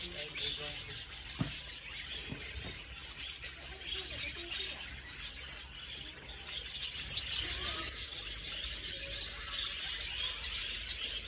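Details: Many budgerigars calling together inside a walk-in bird cage at a Yokohama children's zoo: continuous busy mix of high twittering chirps, overlapping and irregular, steady noisy background throughout.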